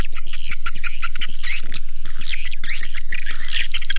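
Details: Swiftlets in a dense chorus of high, rapid twittering chirps and buzzy trills, layered over a steady low thump repeating about four times a second.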